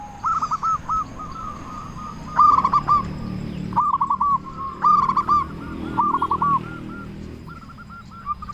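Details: Local zebra dove with a big voice, singing persistently as a lure to make other doves answer: bubbly, rolling coos in short bursts at a mid-low pitch, with quieter echoing coos between bursts and a faint steady background hum.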